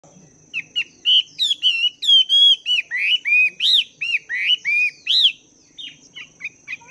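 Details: Chinese hwamei, a wild-caught bird caged for two months, practising its song in the morning: a fast run of rich, loud whistled notes that slur up and down, some looping, about three per second, over a steady high whine.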